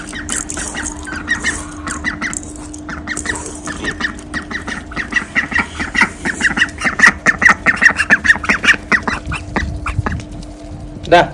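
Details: Domestic ducks kept with hens calling before feeding at the back, on their last day before being given away; a flock of harsh nasal quacks building into dense rapid bursts, with a steady mechanical hum underneath.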